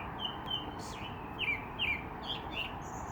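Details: Bird calling over steady broadband background noise: a series of short, thin whistled chirps, some flat and some slurred downward, repeated at irregular intervals, plus a higher note near the end.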